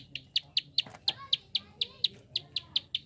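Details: Prinia giving a fast clicking call, sharp high chips repeated about five times a second, each a brief bright tick, with faint low background rumble and a soft scratchy noise.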